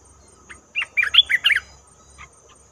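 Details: Bubbly phrase of five or six quick warbled notes from a red-whiskered bulbul, played as a lure for trapping, followed by a few faint chirps.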